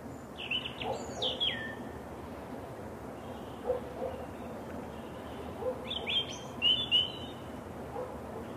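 A European robin sings two brief, high, thin phrases of trickling, wavering notes that tumble downward, separated by a pause of about four seconds. Faint background hiss throughout.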